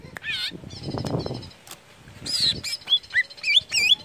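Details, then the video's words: Greater green leafbird song meant to encourage other leafbirds to sing: a loud warbled high note and low rustling or fluttering noise first, then a quick sequence of sharp whistled notes, some upslurred, others twisting. "CUCAK IJO INI UNTUK MERANGSANG BUNYI IJO ANDA"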